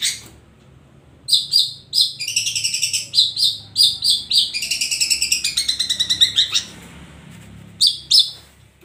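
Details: A long-tailed shrike sings in bursts of piercing high notes and fast chattering trills, with pauses between phrases and a final pair of sharp notes.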